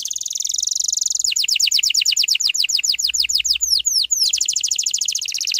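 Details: Canary song in a rapid-shot lure style for training young canaries: a dense buzzy trill gives way to a run of quick descending sweeps, slowing slightly, before the dense trill returns.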